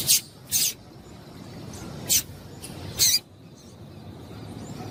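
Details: Female double-collared seedeater calling to stimulate a male's song: four brief, sharp, high chips in two pairs about two seconds apart, over a soft low background noise.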